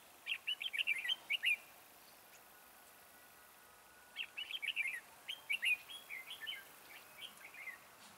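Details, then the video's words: Decoy red-whiskered bulbul singing at a trap to draw in wild birds: two bouts of rapid, bright warbled phrases, about a second and a half then three seconds of quick chattering notes, separated by a quiet pause with faint background hiss. "Bẫy chào mào Mào boi 3 cao vút"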